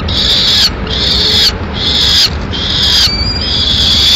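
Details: Peregrine falcon calls at a nest in Madrid while the male feeds a swift to the chicks: loud sustained wails, each lasting most of a second, in a steady series with brief breaks.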